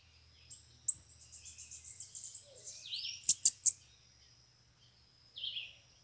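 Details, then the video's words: Bananaquits drawn to a cage, with several loose birds arriving: a high, thin, rapid trill of closely spaced notes, then downward-slurred squeaks, a few sharp clicks and a final brief high note. "canpeada de sibite chegou varios sibite solto na gaiola"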